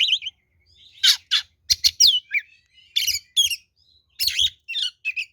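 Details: Oriental magpie-robin (kacer) in full 'ngeplong' fighting song, used as a lure to provoke rivals: bursts of high whistled, buzzy and scratchy notes, some sliding, in short irregular phrases separated by brief pauses.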